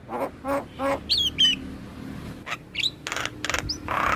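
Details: Black-winged myna, among other mynas, recorded as a lure to get captive birds singing: low rattling churrs, then bright whistles sliding down, a pause, sharp clicks and rising notes, ending in a harsh hiss.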